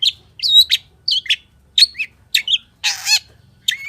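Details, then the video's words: Long-tailed shrike singing a full-isian (richly filled) song: bursts of varied whistled and chirping notes, some rising and some falling, broken by a brief harsh rasp near the end, with short pauses between the phrases. "SUARA PENTET GACOR FULL ISIAN || CENDET GACOR"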